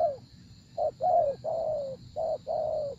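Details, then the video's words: Spotted dove cooing during decoy luring of a wary wild bird. Low, soft notes: a short hoot, then drawn-out coos that hold level and fade downward, repeated twice in quick pairs against a steady faint hum. "Gác Cu Gáy"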